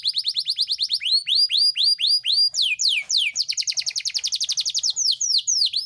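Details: Yorkshire canary song serving to motivate quiet canaries and pairing: repeated curved whistles at a steady beat, two deep swoops, then a very rapid trill and final sweeping notes.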